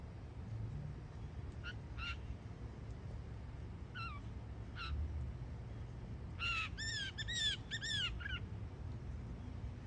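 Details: Young Northern mockingbird in Florida: scattered single slurred notes at first, then a quick burst of several repeated downslurred whistles; steady low background noise throughout.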